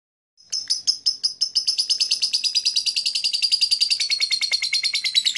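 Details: Blue black-masked lovebird giving a long run of rapid, high chirps, about three per second, merging into a continuous buzzy, trilling stream that slowly drops slightly in pitch.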